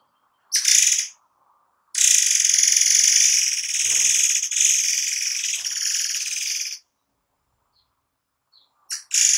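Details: Murai air, a forktail, pouring out tight song bursts for cage-bird training; a short shrill burst, then a five-second sustained high, buzzy, rapidly pulsing trill, silence, and a final brief burst.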